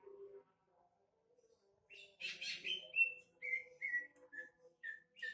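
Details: A female greater green leafbird (Chloropsis sonnerati) gives harsh, buzzy bursts, then a string of clear whistled notes, about two a second, over a faint low hum.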